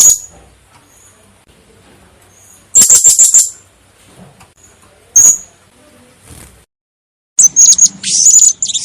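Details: Blue-crowned hanging parrot lure call for trapping: a shrill high trilled burst, a lone sharp note, then a run of varied thin, very high squeaky notes with slight pitch changes.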